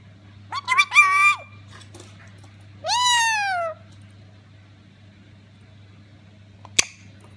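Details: Black-capped lorikeet, a female, mimicking a cat: a quick stutter of harsh notes running into a meow-like wail, then a second long falling meow about two seconds later, and a sharp click near the end.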